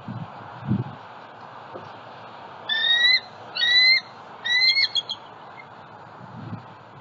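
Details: Bald eagle at a nest with eggs in Southwest Florida, filmed by a live nest camera on a February 2020 morning as a juvenile flies over; three drawn-out, clear whistled notes about a second apart, over steady background hiss.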